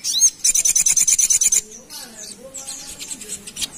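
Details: Ruby-cheeked sunbird singing as a lure for other birds: a fast, regular series of high, sharp chirping notes lasting about a second, followed by a human voice talking.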